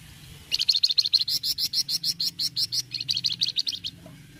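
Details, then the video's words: Flamboyan bird giving a cretetan, a rapid chattering burst: a steady run of sharp, high chirps at about three per second for over three seconds, with a brief hitch near the end before it stops. Faint low background hum. "cretetan flamboyan gacor"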